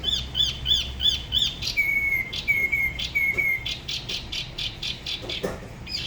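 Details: Spot-throated babbler (tiểu mi) from Dalat, Vietnam, by the La Ba river, singing solo in a style unlike other regions. Four repeated chevron-shaped high notes, then three slurred descending whistles, then a rapid run of bright, clipped notes.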